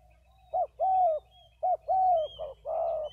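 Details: Spotted doves, two decoy birds, coo in low rounded phrases, a quick note then a sustained slurred one, repeated twice, with faint high bird whistles in the background.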